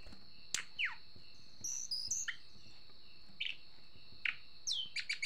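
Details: Sunda blue robin, described as agitated, giving sparse short notes: a falling whistled slur, brief chirps and a quick rising trill near the end, separated by pauses, over a steady high-pitched whine.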